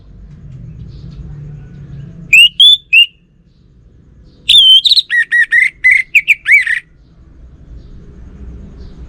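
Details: Orange-headed thrush singing continuously: a clean three-note whistle, then a longer hurried run of about eight lower, looping, slightly buzzy notes, ending in quiet.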